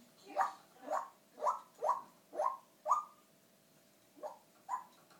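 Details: A pet African Grey parrot in its travel cage, making sound effects rather than speech, gives a run of six harsh rising squawks about every half second, pauses, then adds two more.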